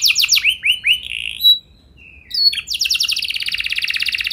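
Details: Canary singing a training lure to prompt other canaries into long rolls: quick downslurred notes, then a short whistled tone, a brief near-silent pause, and a fast, dense high trill that runs to the end.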